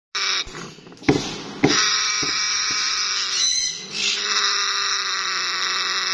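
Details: African grey parrot in breeding mode making harsh, nasal, sustained growling calls with stacked overtones, broken by a few sharp clicks early on, then one long steady drone.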